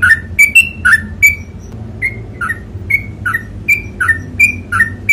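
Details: Sooty-headed bulbul in 'ropel panjang' style, delivering quick whistled phrases that step between a low and a higher pitch, each with a sharp clicky onset, roughly three per second, with a short gap near the middle and a faint hum underneath.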